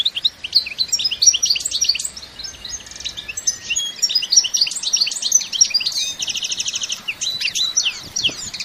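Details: Lively 'bitbita' song of a European goldfinch, natural with no sound effects: a rich, varied run of high twittering notes, liquid chirps and a fast buzzy trill, sung almost without a break.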